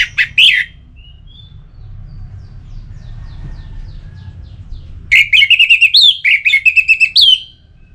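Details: Orange-headed thrush song, meant to stir other birds into singing: an opening whistled note, a quiet gap with faint soft notes, then a long rapid string of bright, repeated, slurred whistles.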